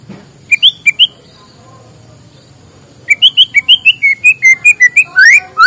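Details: Morning white-rumped shama song used to stimulate lazy birds: three short whistles, a silent pause, then a steady series of clear high notes ending in loud rising sweeps.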